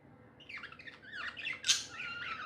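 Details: Contented pet budgerigars chattering, a run of scratchy, wavering warbles rising and falling, with one loud sharp squeak in the middle.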